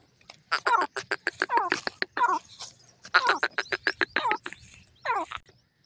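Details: Francolin (teetar) calling in a forest: rapid bursts of short, harmonic, downward-sliding notes mixed with sharp clicks, grouped in busy clusters near the start and middle, then a single falling note near the end.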